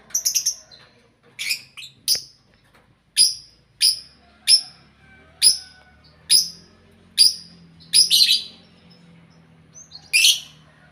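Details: Caged group of lovebirds kept together, loud and lively; sharp piercing chirps spaced about once every second, a few doubled, over a faint low background hum.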